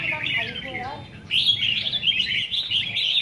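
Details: Red-whiskered bulbuls at a singing competition give fast, jumbled warbled phrases in a high register, preceded by murmuring human voices.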